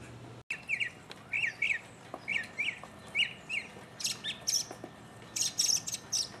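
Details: A mockingbird singing solo in 2015: after a brief dropout, it gives paired chirpy phrases repeated several times, then shifts to higher, sharp whistled notes in quick bursts over a faint background hiss.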